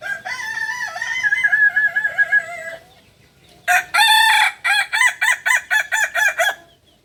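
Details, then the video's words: Kukuak balenggek rooster, native breed of Solok, West Sumatra, crowing twice: first a long wavering held phrase breaking into repeated pulses, then after a pause a loud held note followed by about eight fast stepped syllables. "Ayam kukuak balenggek ayam asli solok sumbar"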